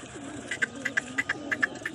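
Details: Pigeons in a loft give a low, wavering coo under a run of sharp paired clicks about three times a second.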